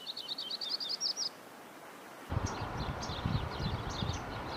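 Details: Crowned warbler singing a quick, chattering phrase of about a dozen high notes that climb in pitch over roughly one second. Broad rumbling background noise follows, with faint high chirps scattered through it.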